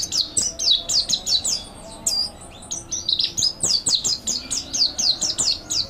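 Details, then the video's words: Mountain white-eye master song for training: dense high twittering with fast downslurred chirps, a short thinner passage around two seconds, then rapid chirping resumes. "MASTERAN PLECI MONTY GACOR NEKBAK ISIAN MANTAP | MANTERAN PLECI MONTANUS ISTIMEWA"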